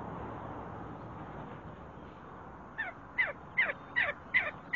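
A See-see partridge gives a quick series of six sharp, downward-sliding notes, about two to three per second, after a few seconds of steady background hiss.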